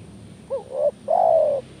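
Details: Lure call of a spotted dove, meant to provoke reluctant doves: one phrase made of a brief upturned coo and a gliding note, then a drawn-out, level, husky coo lasting about half a second.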